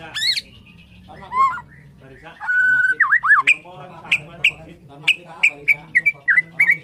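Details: Borneo white-rumped shama in the morning, opening with harsh twisting notes and a rattle, then a long whistle and a string of short, evenly spaced sharp chips.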